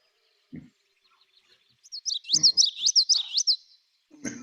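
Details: Common yellowthroat (Geothlypis trichas) gives its bright, rolling witchety song, about five quick, high swooping phrases run together, with soft low thumps and room noise around it.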